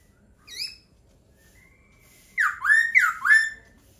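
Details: Singing laughingthrush: a short high note, a faint drawn-out whistle, then three loud looping whistles that swoop down and curl back up in quick succession.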